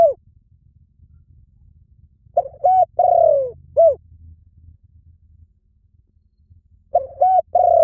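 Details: Spotted dove repeating its cooing phrase, clipped notes leading into a long descending coo and a short final note, the phrase returning after a pause of about four seconds over a low rumble.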